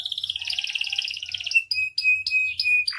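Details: Canary in constant full-phrased song, a tutoring and lure recording: fast rattling trills around high pitch give way to clear, pure whistled notes and sharp chips, with a short low buzzy note at the end.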